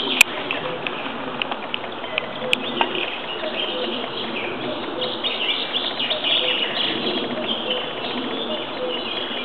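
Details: Wild birds singing in the forest at Râșca, Suceava, Romania: a dense, continuous chorus of overlapping chirps and twitters. The sound is muffled and lacks its higher tones, with soft background noise.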